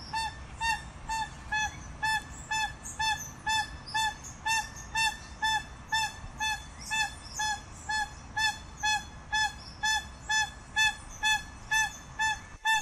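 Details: Pava cojolita (crested guan) song: evenly spaced, loud honking calls about two per second, sustained for over twelve seconds, each short and harmonic-rich, with soft background hiss between notes.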